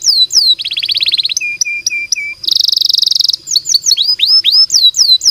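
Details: Canary singing a long, lively song used to tutor other canaries: bright upswept notes, a buzzy rolling trill, a row of level piping notes, a dense high rattle, then a string of quick rising whistles.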